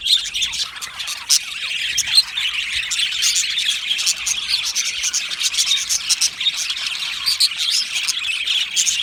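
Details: Aviary flock of Australian budgies chirping and singing happily, heard as a steady wash of high, thin chirps and trills from many birds, with sharp clicking notes scattered through it.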